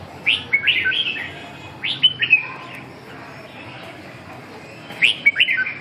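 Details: Red-whiskered bulbul in song training, giving three separated bursts of sharp, sweet, rising-and-falling notes with quiet stretches between them.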